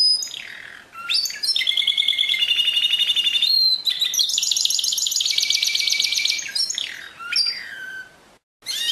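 A canary sings a continuous high song of fast rolling trills, long rapid buzzy tours and quick downward sweeps, flowing for about eight seconds.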